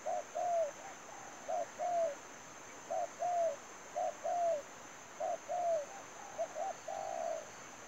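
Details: Spotted dove kept as a trapping lure, delivering repeated paired coos, short then longer and falling, six or so phrases in quick succession, ending in a flatter drawn note, with steady hiss behind.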